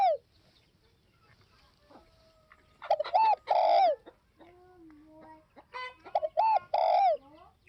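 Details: Spotted dove cooing: two phrases, each a short clipped double note and then a long, loud, downward-slurred coo. Fainter chirps and whistles from other birds fill the gaps.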